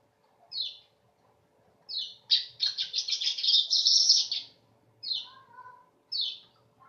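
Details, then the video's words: Weaver singing in a sharp, almost canary-like voice: isolated high chirps, then a rapid, buzzy, rattling chatter lasting about two seconds, then more spaced chirps with a faint lower warble. "Kicau Burung Manyar"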